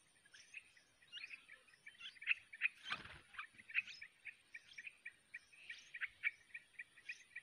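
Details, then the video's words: Wild sooty-headed bulbul chicks at the nest, being fed by a parent after hatching: rapid, high, short chirps repeated in an uneven stream throughout, with a brief dull knock midway. "temukan burung trucukan sedang meloloh"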